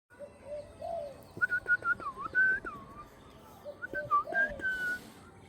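A pet parrot gives clear whistled calls, some rising and some swooping down then up.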